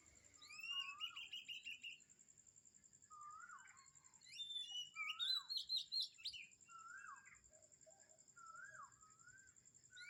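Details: A morning bird chorus at Kamphaeng Saen mixes fast chirp trains, swooping whistles, and bursts of bright, jumbled twittering, repeated in waves over ten seconds, with a constant high-pitched hum.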